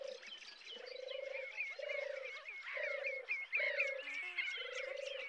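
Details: Purring European turtle dove recorded from the car park at RSPB Frampton Marsh Reserve on 26 July 2020. Five low, rolling purrs come roughly once a second, over busy chatter and whistles from other birds.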